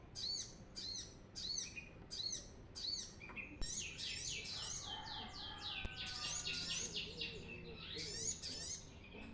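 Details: Brown-throated sunbird song used as a lure: a run of evenly spaced high chirped notes, then a rushed, dense burst of sharp twittering and rapid sweeping notes, with a softer lower warble in the background.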